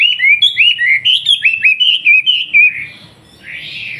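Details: Wambi from Surabaya singing as a master for young trucukan: a quick string of about ten bright, hooked whistles rising and falling, ending in a softer blurred rasp.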